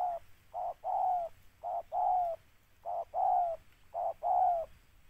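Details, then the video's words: Repeated spotted dove cooing heard while birds are being lured for trapping: a clipped note then a longer, slightly falling coo, the pair repeated four times at a steady pace with little background noise. "TEKUKUR PR"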